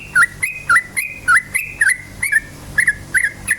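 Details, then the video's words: Yellow-vented bulbul singing energetically, a lure to make other bulbuls sing. Rapid run of liquid, whistled, bubbling phrases, each a quick rising-and-falling flourish, about nine in under four seconds, with a faint hum beneath. "suara KICAU burung trucukan gacor cukcuk ropel"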